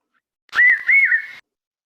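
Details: Common Hawk-Cuckoo, the brain fever bird or papiha, giving a single shrill, whistled three-note phrase, slightly wavering and held at a steady high pitch, lasting under a second.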